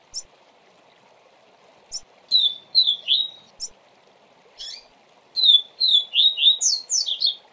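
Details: Double-collared seedeater singing a 'tui tui zel zel' style song used to teach young birds: isolated sharp high notes, then rapid bursts of slurred, falling whistled notes in quick runs, over a steady low hum.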